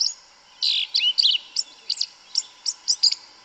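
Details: Yellow-legged Thrush (Turdus flavipes) singing in the bush: a quick run of high, sharp chirps and thin notes, spaced about every third of a second, over a faint steady background hiss.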